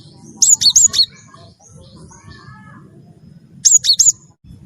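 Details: Cinereous tit of the wingko variety, singing steadily as a lure to trigger song in other birds: two quick phrases of four bright, high, falling whistles separated by a few seconds, with a soft low hum beneath.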